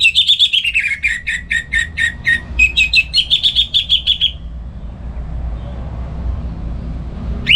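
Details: Orange-headed thrush kept at home, singing in the morning as a tutor for other songbirds. It gives a rapid four-second burst of bright repeated notes that first slide downward and then level off, followed by a faint background hum.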